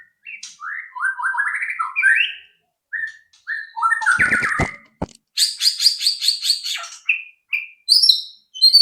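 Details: White-rumped shama song meant to prompt other birds to sing: rich rolling whistled phrases, a burst of clicks near the middle, then a fast rapid-fire series of high buzzy notes followed by short whistles.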